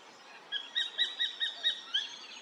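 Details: Spangled Drongo mimicking a bird, near Lake Samsonvale, south-east Queensland, around 6 a.m.: seven sharp, high, chattering notes about a quarter-second apart. They sound somewhat like a Sacred Kingfisher but not exactly; the mimicked species is uncertain. Faint background hiss.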